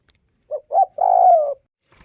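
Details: One clear cooing phrase from a northwest Vietnam spotted dove: a soft short hoot, a second rising hoot, then a sustained, gently falling coo.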